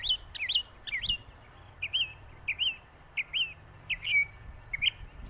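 A Northern mockingbird gives short, bright whistled notes that dip then rise, in quick pairs about every second over faint low background hum.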